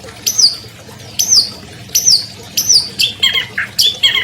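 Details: Prize-winning albino long-tailed shrike, kept caged, repeating clear high whistles that fall sharply in pitch, about one per second, then switching to quicker, lower, harsher notes near the end.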